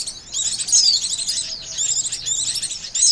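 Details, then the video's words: Dense, high twittering chatter of Oriental white-eye used to lure birds for trapping, with a few bright falling whistles standing out from the busy warbling. "SUARA PIKAT BURUNG PLECI, AMPUH !!"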